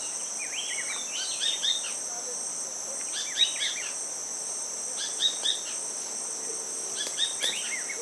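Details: Rufous-breasted Spinetail (subspecies pacifica), possibly a juvenile, at Finca Los Tarrales, Guatemala, 9 July 2018, giving short bursts of quick, chirpy notes about every two seconds over a steady high insect drone.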